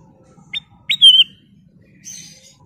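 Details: Kutilang emas, the ruby-throated bulbul, giving a sharp upslurred chirp, then a longer clear whistled note, and a faint high twitter afterward, over a soft low hum.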